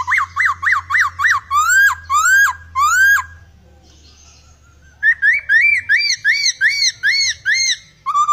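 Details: Laughingthrush in full, steady song with varied, unusual sounds: a quick run of rising whistles, slower upslurred whistled phrases, a short pause, then a long series of bright rising notes repeated about twice a second.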